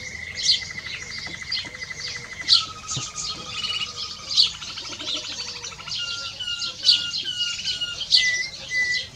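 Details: Song of a canary x goldfinch hybrid, or mixto: quick high twittering notes over long, steady, lower whistled tones that hold for seconds, then shift in pitch, with brief whistles near the end.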